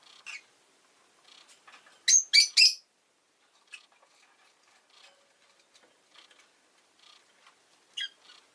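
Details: Pet rosy-faced lovebird amid urban background noise: a quick run of three loud, piercing chirps, then scattered soft ticking calls and one more sharp chirp near the end.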